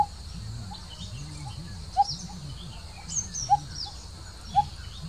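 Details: Coppersmith barbet pair calling; hollow tonk notes spaced irregularly about one to one and a half seconds apart, over a low rumbling drone and a faint high-pitched tone.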